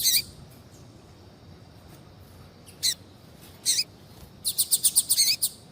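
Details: Female Double-collared seedeater calling to stir a male to sing: a sharp opening note, two spaced buzzy high calls, then a rapid chattering run of repeated high chirps.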